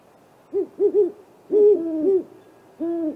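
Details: Nighttime great horned owl pair visiting a great gray owl nest tree on April 21: a few loud, rounded hoots, one long drawn-out call in the middle and a final sustained hoot, quiet otherwise.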